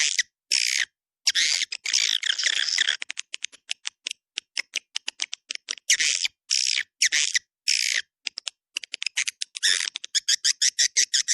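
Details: Swiftlet calling sound used to attract swiftlets: dense bursts of harsh, buzzy twittering alternate with rapid dry clicks, about two per second, clustered in a high band with gaps between bursts.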